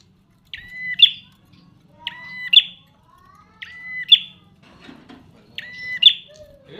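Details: Prinia repeating a crisp, ringing two-part phrase, a level buzzy note and then a sharp accented chip, four times at steady intervals of about one and a half seconds, with a faint low hum beneath.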